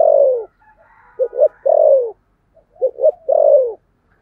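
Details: Spotted dove 'thúc gù' cooing in the 'thổ sấm' voice: long falling coos, each introduced by two short stuttered notes, repeated steadily in quiet surroundings.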